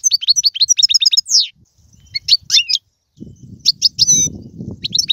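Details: European goldfinch from Algeria with galoubi and serfati song: a rapid run of liquid twitters and a descending slur, then scattered chirps over low rumbling background noise.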